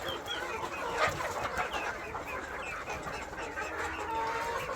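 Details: KUB village chickens at a farm in Aceh Besar give a dense, continuous chorus of overlapping high peeps and soft clucks, steady in loudness throughout with no single bird standing out.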